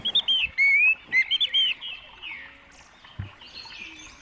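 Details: Orange-headed thrush lure song meant to make other birds answer: loud clear whistled phrases, rising and falling sweeps and quick warbled notes, then fading softer twittering, with faint background noise.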